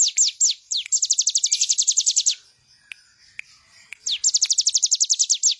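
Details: Bar-winged prinia song for teaching other birds: a few slower slurred notes open into a fast rattling run of high descending notes, then a pause with faint ticks before another quick run.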